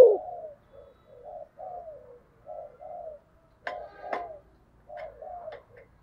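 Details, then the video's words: Spotted dove fighting coo, thổ sấm style, heard quietly: a run of soft, low, short coos in pairs, broken twice by sharp clicking or tapping sounds. "thổ sấm gù/ Cu gù đấu"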